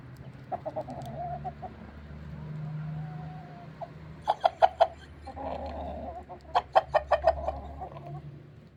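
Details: Rooster that seems to be straining, owner suspects constipation: low, strained, drawn-out groans, broken by two quick bursts of sharp clucks, over a steady low hum.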